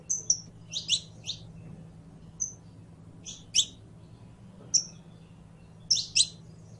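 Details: Scattered bright chirps from a singing saffron finch (canario criollo), single and paired notes at irregular intervals of about a second, with a constant low hum underneath.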